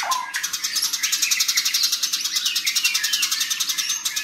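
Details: Fighting house sparrow giving a long, fast, steady run of loud, high chirps, about three or four a second, with a brief lower note at the start.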